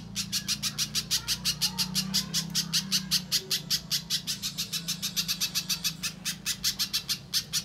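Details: Lure sound of a little spiderhunter, played to prompt birds kept in cages to call: a long, quick series of bright, high, piercing notes, roughly five per second, with a low droning hum beneath.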